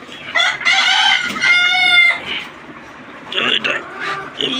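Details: Desi chickens on a farm with twenty-nine free-range laying hens; a rooster gives a loud, strongly harmonic crow in two long phrases, followed by quieter clucks and another call from the flock.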